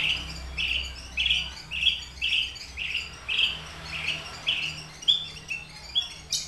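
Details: A captive Horsfield's bush lark of the Papuan subspecies aliena, in full, lively song, gives a run of short, bright chirping notes, nearly twice a second, slightly uneven in pitch and spacing, over a faint low hum.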